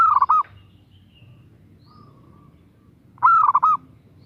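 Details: Calling to attract a male, a female zebra dove gives two loud, rolling coo bursts about three seconds apart, each a quick chain of four or five bubbly notes over quiet low background noise.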